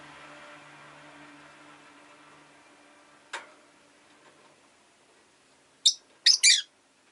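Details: Rosy-faced lovebird giving a few sharp, harsh, high-pitched chirps near the end: one short note, then a quick double burst. Before them come a low steady hum that fades out and a single sharp click, with near-silence between.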